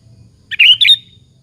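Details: A sooty-headed bulbul sings to goad other bulbuls into replying. A brief, bright two-part phrase of slurred chirps ends in a fading, level whistle. A soft low rumble sits in the background.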